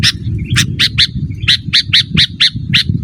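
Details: Sooty-headed bulbul, recorded to call wild birds and school caged birds; rapid harsh chirps repeated about four times per second in a steady series, with heavy low background noise.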